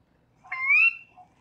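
A Sora gives a single clear, upslurred whistle, a rising ker-wee about half a second long, over a quiet marsh background.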